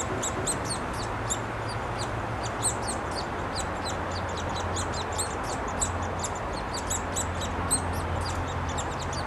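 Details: Hungry Downy Woodpecker chicks in a tree nest, Columbus, Ohio, 26 May 2013, as both parents feed them; dense bursts of high sharp peeps, several per second, keep on through a deep background hum.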